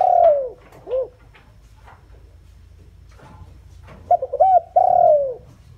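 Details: Lure spotted dove attracting wild doves: the tail of a long falling coo and an arched note, a stretch of faint ticks, then a fresh phrase of quick short notes into a drawn-out descending coo.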